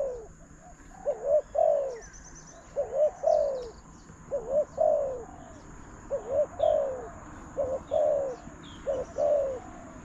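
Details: Spotted dove calling to a decoy during bird trapping: a series of short, low cooing phrases, each a quick hooked note followed by a longer falling coo, repeated about every second and a half, with faint high chirps from other birds.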